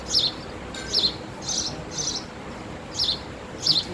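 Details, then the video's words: Six quick, high chirps from a male house sparrow in under four seconds, some sharp and bent, others slightly fuller, with soft background hiss between them. "House sparrow Chirping sound effect"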